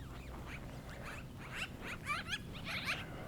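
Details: Black-billed magpie in Livingston, Montana, on a snowy, very cold (-22C) winter day, giving squeaky, slightly melodic notes with quick rising and falling chatters, several bursts over a few seconds, over low outdoor rumble; Black-billed Magpie.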